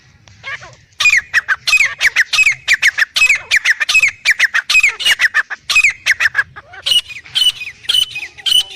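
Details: Black francolin pair, male and female: after a quiet first second, a steady stream of loud rasping squawks with a bent whistled core, repeated about three times a second almost without pause.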